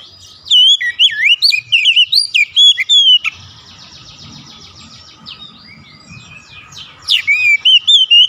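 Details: Oriental magpie-robin singing as a lure to set other magpie-robins singing: a burst of looping whistled notes and sharp chips, then a softer rapid buzzy trill, and finally loud whistles return.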